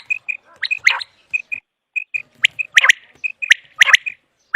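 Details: Common quail calling for quail hunting: clipped whistled notes in quick pairs, broken by several harsh buzzy rasping bursts and crisp clicks.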